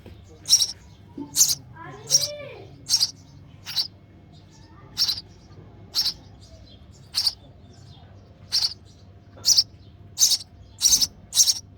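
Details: Nestling sparrow begging while fed by its mother in the nest; thin, high, hissing chirps repeated roughly every second, with a brief rising squeaky call near the start and low background hum.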